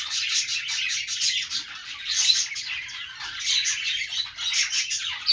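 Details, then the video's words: Budgies warble and chirp nonstop, their high tweets and scratchy notes overlapping in rapid pulses, with a few sharper accents around the second and fifth seconds. "budgies sounds | parakeet chirping sounds |Australian parrot sounds"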